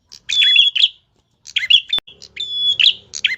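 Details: Tilek singing busily with a sharp voice: a steady high whistled note drawn out then broken into buzzy, tumbling chatter, two phrases separated by a pause, with a single sharp click between them.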